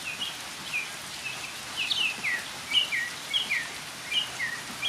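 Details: Northern mockingbird singing in rain, varied short slurred and downswept notes spaced unevenly, some rising higher, heard through a broad hiss of rain and ambient noise.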